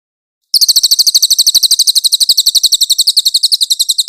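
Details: Velvet-fronted nuthatch in a clear recording used to train songbirds, suited to tutoring white-rumped shamas: a fast, steady trill of sharp, high chipping notes begins after a short silence and runs on without a break.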